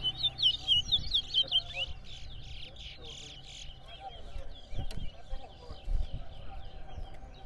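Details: Chestnut-bellied seed finch (towa towa) in a bird singing competition at Rosignol, Berbice, Guyana, round one: quick bright twittering whistled phrase at the start, then fainter warbling notes while a man counts aloud and people talk nearby.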